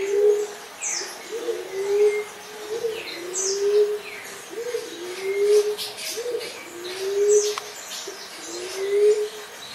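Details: Soft, low hooting coos from a Common Emerald Dove, each often preceded by a short note, repeated about every 1.3 seconds, with other birds whistling and chirping faintly higher up.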